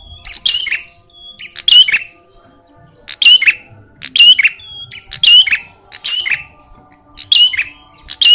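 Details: Loud, fierce red-headed prenjak using a fighting-style call: a steady series of sharp chirp bursts, each with a short whistled tail, about one per second for several seconds.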